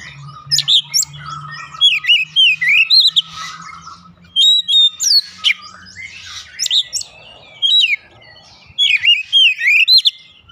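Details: Oriental magpie-robin song used to coax other birds into singing: repeated bursts of sharp chirps and wavering slurred whistles, with a faint low hum beneath.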